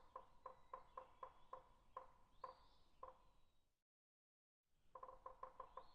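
Woodpecker tapping on wood: about ten sharp knocks that slow from four to two a second, then a brief silence and a quick burst of six taps.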